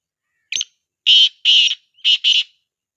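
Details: Call of a black francolin used to prompt other partridges to respond: one brief scratchy note, then two pairs of loud rasping notes over about two seconds, with nothing else heard.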